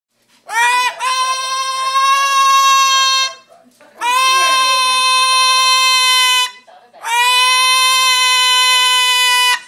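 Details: A pet cockatoo gives three long, loud, harsh screeching squawks, each about two and a half seconds, with brief pauses between, in a small room as people walk into the house.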